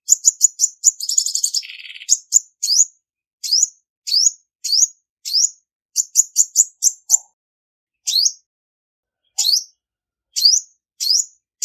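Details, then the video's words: Female Olive-backed Sunbird song meant to excite males, clean recording: a rapid run of high chirps opens into a short buzzy low rattle, then a long series of sharp upslurred notes, some in quick pairs. "Tiếng chim Hút mật 5 màu mái không tạp âm | Olive-backed Sunbird Female"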